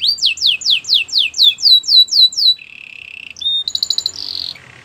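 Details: Belgian canary song: a row of loud, evenly spaced falling sweeps, then a low buzzy roll, a short whistled note and a high rattling trill.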